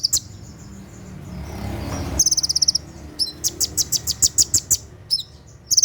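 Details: Olive-backed sunbird singing 'tembakan' at night for training birds: after a hissy rustle, a rapid high trill breaks out, followed by a stuttering run of sharp chip notes and another trill starting.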